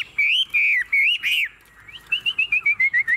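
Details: Chinese hwamei, a tame cage bird, sings loud looped whistles, pauses, then gives a quick descending series of short clear notes.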